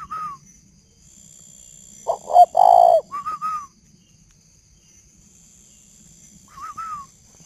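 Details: Male spotted dove with a decoy bird, calling at 11 p.m. in northern Vietnam: a deep, husky cooing phrase of short pulses ending in a longer purr, with higher slurred whistled notes before and after and a quiet night background.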